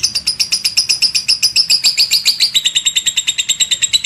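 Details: Lovebird long chatter called ngekek, meant to make listening lovebirds answer: clear, quick shrill pulses at a steady rate, dropping to a slightly lower pitch halfway through.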